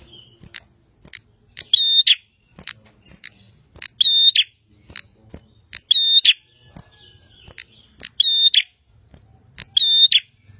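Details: Bar-winged prinia, known locally as prenjak, repeating a buzzy whistled phrase with a flat high note framed by clicks, about every two seconds, separated by sharp single chips.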